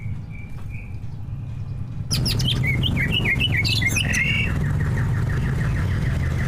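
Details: Two caged prize greater green leafbirds, song loaded with mimicry for provoking rivals to sing: a few soft whistles, then an abrupt loud outburst of rapid tumbling warbles and rising whistles, with a droning low hum throughout.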